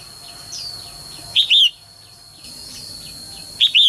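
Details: Female bird calling so that males will sing energetically; two emphatic two-part chirps, roughly two seconds apart, against quieter rhythmic chirping and a persistent high-pitched hum.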